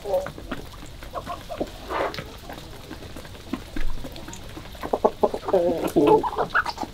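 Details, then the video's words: Chickens on a February 2022 morning, sparse quiet clucks at first, then a quicker run of louder, clipped clucks toward the end, over faint background noise. "Morning of lovely chickens"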